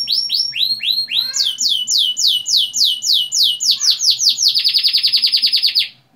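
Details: Canary lure song used to prompt young canaries to start singing: a long rolling series of loud sweeping notes that speeds into a rapid even trill before fading out.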